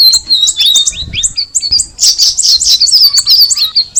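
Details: Straw-headed Bulbul, called cucak rawis, giving a fast series of high whistled notes that slide down then up, building into a busy, tumbling chatter of overlapping chirps in the second half.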